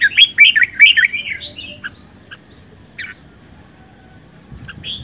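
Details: Red-whiskered bulbul singing in a fierce duel, May 2020, delivers a loud, fast string of bright whistled warbles over the first one and a half seconds, then a few isolated chirps.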